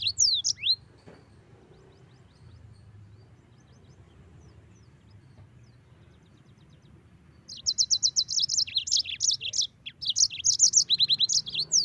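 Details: A short burst of high, downslurred notes opens, followed by several seconds of near silence, then the yellow-fronted canary resumes with dense, rapid high chirping phrases through the end.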